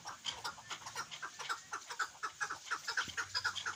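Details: Chukar partridge, a hunting partridge, uttering quick repeated clucks near two per second, each note short and slightly rising, forming a regular chattering series.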